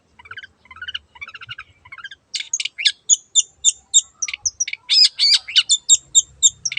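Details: Long-tailed shrike singing vigorously: soft stuttering note groups at first, then loud, sharp, high chips and twitters delivered rapidly and fairly evenly, a few per second.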